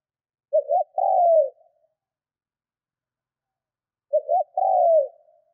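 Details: A decoy spotted dove coos during training, two phrases about 3.6 seconds apart, each opening with a pair of quick notes and ending in a long, slightly sliding coo; otherwise quiet.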